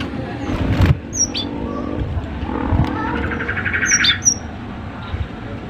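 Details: Cinereous tit song for training other birds, heard as a few piercing high whistles, one early and a close pair later, against low-pitched background noise, soft chatter and a rough, burry mid-pitched note.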